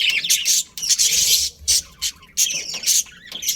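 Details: Colony of colourful budgies: loud bursts of high grating chatter and squawks separated by short quiet gaps, the calling stopping and restarting several times.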